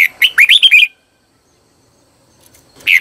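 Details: Red-whiskered bulbul decoy singing to call wild birds: one quick phrase of five or six bright warbled notes sliding up and down, then a long silence and the start of another phrase.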